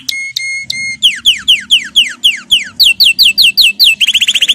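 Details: Training song of a canary: three flat whistled notes, then a series of descending slurred notes, then rising upturned notes, ending in a rapid buzzy trill.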